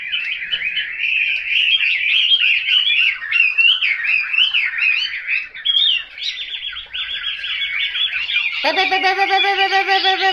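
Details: Chinese hwamei singing a long stream of wavering, whistled, up-and-down phrases, loud and continuous, closing with a harsh buzzy, nasal tone rich in overtones.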